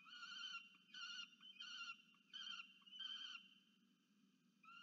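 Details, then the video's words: Begging by a peregrine falcon chick wanting food from a parent, nest camera, Charles Sturt University, Orange, New South Wales, Australia, 13 November 2022: five harsh, nasal, harmonic screams, each about half a second, spaced roughly every 0.7 seconds, over a low hum. "Rubus domaga się jedzenia od Diamond"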